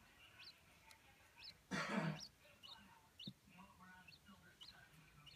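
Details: Captive adult Chinese blue-breasted quail, Darth Vader variety, in a sandbox, its calls growing louder and more strident as it objects to being filmed: sharp rising chirps repeated about every half second, interrupted by a person's cough.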